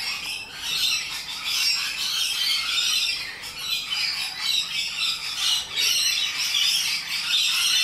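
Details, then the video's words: Rainbow lorikeets keep up a raucous, scratchy chorus of high screeches and squawks, dense and overlapping with rhythmic swells in loudness. "Loud and Obnoxious Parrots - Rainbow Lorikeets"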